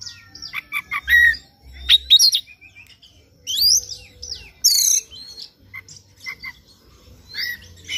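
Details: Morning lure song of an Oriental magpie-robin, meant to make another bird sing persistently: rich mix of clear whistled notes, sweeping slurs and harsh buzzy bursts, phrases separated by short pauses, low hum behind.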